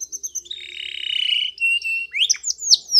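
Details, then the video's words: Spanish Timbrado canary training song: a few short high notes, a long rattling buzzy trill, a steady whistle, then quick rising and falling chirps. "Canary's Most Powerful Song For Training !! Spanish Timbrado Song"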